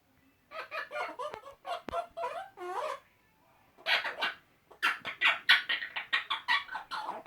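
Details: Two male Eclectus parrots chatting to each other with silly noises, kept as pets indoors; rapid series of harmonic, nasal, squawky syllables with a short pause, then louder, harsher bursts of chatter.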